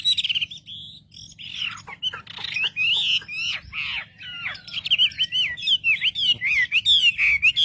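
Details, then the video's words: Wambi song used as a lure to provoke other wambi birds: fast, varied whistled and squawky phrases, rising and falling notes and short sweeps in quick succession, over a steady low hum. "pancingan suara wambi paling ampuh untuk memencing emosi burung wambi"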